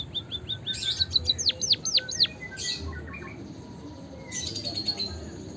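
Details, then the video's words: Chirping white-headed munia (emprit kaji) for stimulating pet birds to sing: a few quick high notes, then a string of loud downward-swooping chirps, a short pause, and a later buzzy, hissing twitter. "suara kicauan burung emprit kaji gacor pancingan burung pipit emprit peking bondol hajimu biar gacor"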